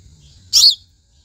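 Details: House sparrow call: a single loud, short chirp with harsh, high notes that rise and fall, standing alone against a quiet background.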